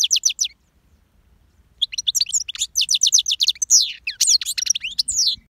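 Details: Goldfinch singing, possibly an aviary bird: a short burst of high, fast notes, a brief pause, then a long run of bright twittering and tinkling notes with rapid buzzy trills, in a clean quiet background.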